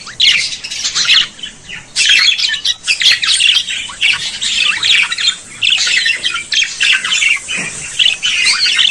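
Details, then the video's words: Budgerigars chatter in a dense, continuous stream of scratchy warbles, squawks and high chirps, with hardly any pauses between notes. The chatter sounds like several birds calling at once in a room. "periquito Austráliano"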